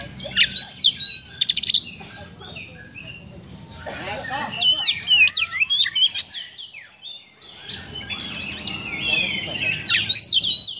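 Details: Oriental magpie-robin harsh song used to stir up emotion: loud zigzag whistles and scratchy high notes in bursts, a quieter pause near the middle, then renewed rapid varied phrases.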